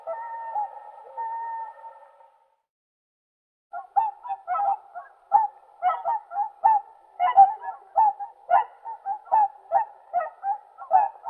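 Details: Whooper swan: a drawn-out, steady nasal tone at first, then after a pause a run of loud honking calls, many overlapping, coming roughly every half second.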